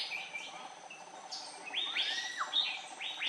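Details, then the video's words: Close-range recording of an Andaman bulbul on Andaman Island, India, March 2020: a few clear, upward-slurred whistled chirps, then several swooping notes that rise and drop, against faint background insect buzz. "Lovely Close-up of Andaman Bulbul"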